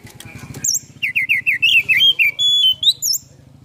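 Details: Oriental magpie-robin singing a lure song full of varied phrases, tail opened cobra-fashion: a steady low hum, then a quick series of looping, rolling whistled notes and high sweeping slurs.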